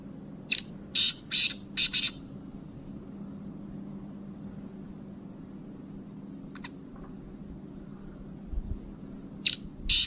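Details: Kabotra kala teetar, the black francolin, calls in a quick run of four loud scratchy notes. After a long gap come a faint pair of notes and a final harsh group, with a constant low hum behind.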